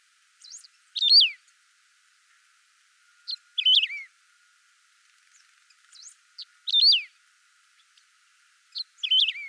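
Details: Clean recording of a saffron finch's song: three phrases spaced about three seconds apart, each a few thin introductory chips leading into a strong downward-gliding whistle.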